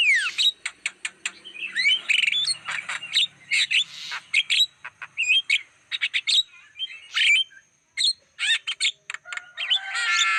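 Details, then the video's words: Long, varied Black-winged starling lure song for wild birds, with a falling whistle, dense chips and chatter, buzzy trills and squeaks, and a rough rattling close. "Masteran Suara pancingan burung jalak kebo"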